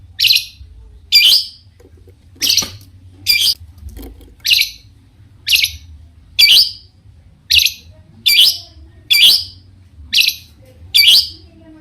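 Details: Long-tailed shrike singing to stir rival shrikes into replying: loud, sharp, high chattering notes repeated about once a second at an uneven pace, each a brief harsh burst, over a quiet low background hum.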